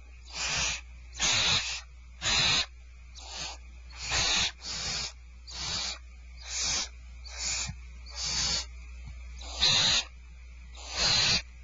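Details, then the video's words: Barn owls at Starr Ranch at feeding time, 2/1/12: harsh, breathy hisses, each about half a second long, repeated roughly once a second in a steady series over a constant low hum. "Starr Ranch Barn Owls Dinner is served"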